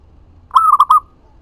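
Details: Perkutut, a local zebra dove, singing energetically as a lure to provoke answering doves and raise breeding drive: a single rolling phrase of soft, medium-pitched coos, a long opening note then quick stuttered ones.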